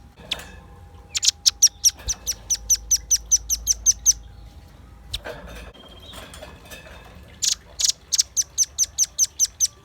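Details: Energetic velvet-fronted nuthatch, recorded for luring wild birds and training songbirds, delivers long, rapid strings of thin, very high chipping notes, about two to three a second, broken by a brief pause and a clatter.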